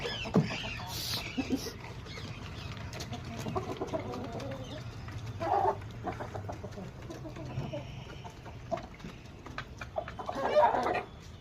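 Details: Black Australorp or Rhode Island Red roosters give short, scattered clucks and brief squawks at irregular intervals, loudest near the end, over a steady low hum and faint background noise.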